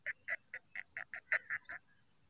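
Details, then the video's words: Black francolin calling: a rapid series of about nine harsh, grating notes, evenly spaced over nearly two seconds, followed by a faint trailing note, over quiet background hiss. "کالے تیتر کی آواز کترناک"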